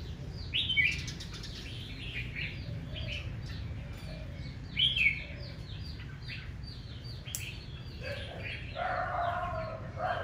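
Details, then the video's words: Red-whiskered bulbuls in aggressive morning competitive song: busy overlapping warbles and chirps from several birds, with two louder slurred phrases standing out, plus a lower rasping note near the end. "Tiếng chào mào hót đấu ché"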